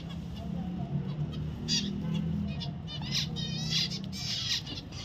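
Zebra finches give short, nasal, toy-trumpet calls over a steady low background hum.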